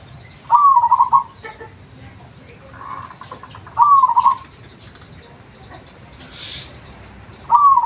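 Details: Natural lure recording of a local zebra dove: trilled, rolling coo phrases repeated roughly every three seconds, each starting with a rising note, with faint rustling and a soft murmur between.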